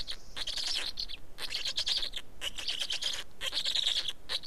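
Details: Black storks feeding at the nest in Estonia, afternoon of 19 May 2019; loud grating, chattering bursts follow one another quickly, each under a second, with short breaks between them.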